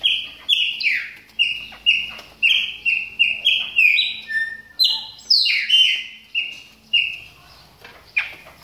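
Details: Moulting Chopi blackbird warming up: rapid series of bright whistled notes, several sliding down, repeated about twice per second before trailing off near the end.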